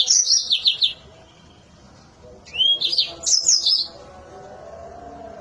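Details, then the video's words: Mozambique canary in full song, piercing and sharp: two bursts of quick high chirping notes tumbling downward, the second opening with a rising whistled slur, separated by a pause with low background hum. "Si Cantik Mozambik Gacor Suara Melengking Tajam"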